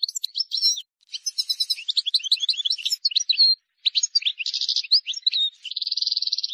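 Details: Continuous song of a wild European goldfinch for tutoring chicks: fast jumbled twitters and liquid chirps with several buzzy, trilled passages, the last a steady rattling trill.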